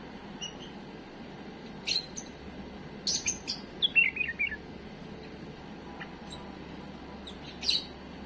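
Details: Tame bulbul producing a mistake-free song for tutoring young birds. Scattered sharp clicks and taps surround one quick, descending warbled phrase of several whistled notes near the middle.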